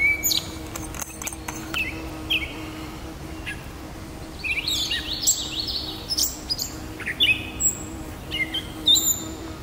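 A gray catbird sings a rambling, jumbled run of squeaky, scratchy and whistled notes, thickest in the second half, over a faint steady hum.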